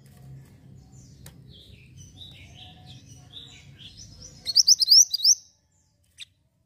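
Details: Javan white-eye singing, kept as a tutor recording: soft scattered twitters give way to a short burst of four or five loud, shrill rising chirps near the end, then one lone click, over steady low hum.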